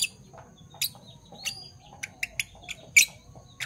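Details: Morning chirps from caged Fischer's lovebirds of parblue violet and parblue turquoise colouring: a rapid uneven series of short, sharp, high chips and squeaks, roughly a dozen in a few seconds, with low hum underneath.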